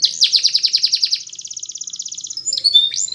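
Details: Canary training song, Spanish Timbrado: a fast rolling trill of repeated high notes, slowing into a softer rattle, then a few sliding whistled chirps.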